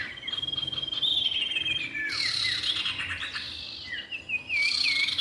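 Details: A male and female common iora calling: a long steady whistle, then descending slurred notes and a run of looping whistled phrases, with a light insect-like hiss throughout.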